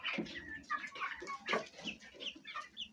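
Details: Domestic Fayumi chickens at home, hens and young chicks: quick, bright chick peeps falling in pitch, repeated several times a second, over rough, low hen clucking.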